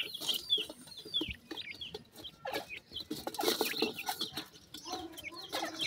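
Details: Grey francolin chicks happily feeding: scattered thin, descending peeps from several birds, interrupted by bursts of clattering and pecking noise.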